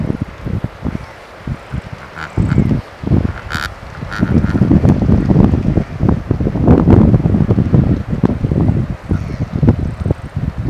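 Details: A flock of Cape cormorants on the coast of Van Dyk's Bay, South Africa, giving low, rough croaks and grunts in irregular bursts, with a few harsher, higher notes, over steady wind noise.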